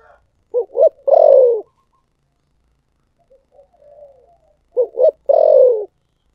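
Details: Spotted dove singing in the 'thổ sấm' voice style: two short low coos followed by a longer, loud descending coo, the phrase given twice with a faint soft coo between them.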